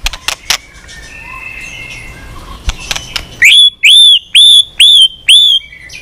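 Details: White-rumped shama in continuous song with many unusual voices: clicks and soft rustling at first, then five loud identical rising whistles repeated about every half second.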